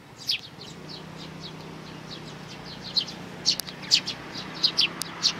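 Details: Three sparrow nestlings on 12 May 2019 give thin high chirps, faint at first, then louder, quicker notes in the last two seconds, with a low steady hum beneath.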